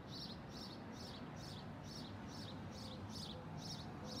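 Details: Feral parakeets from a yearly visiting flock in Arizona give high, sharp chirps repeated about twice a second in a steady rhythm, over a low rumble of distant traffic.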